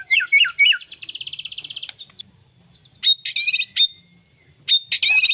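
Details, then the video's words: White-rumped shama, a caged competition fighter bird, delivering a fast buzzy trill followed by sharp upslurred whistles and harsh bursts in quick succession. "murai faighter mental juara"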